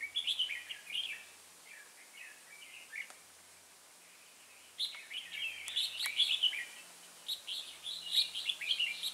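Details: Red-whiskered bulbul used as a decoy for trapping wild bulbuls, singing an aggressive fighting song (ché). Bright warbled, chattering phrases come in quick bursts, then a silent gap of about two seconds, then a denser run of whistled notes.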